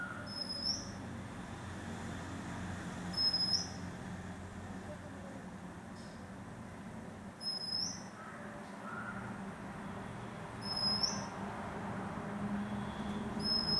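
Oriental magpie-robin giving short, high, sharp notes every three seconds or so, over a steady low rumble of distant traffic.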